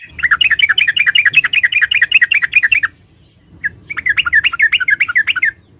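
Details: {'text': 'Trucukan, the yellow-vented bulbul, giving fast, jumbled chattering phrases of bright, slurred notes. A short pause breaks the run before it resumes. Faint low rumbling lies underneath.'}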